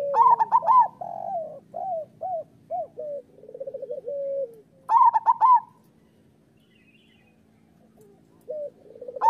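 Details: Zebra dove song of a local bird, played as training material for other doves: an opening burst of trilled coos leads into a run of short rising-falling notes and a purring roll, then a second burst, a long pause, and a third start.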